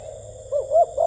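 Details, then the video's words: Spotted dove cooing in the 'gù tít' style: three short, low, hollow coo notes in quick succession, the last two steadier and louder, over a faint steady high-pitched hum. "CHIM CU KHÁCH GÙ TÍT"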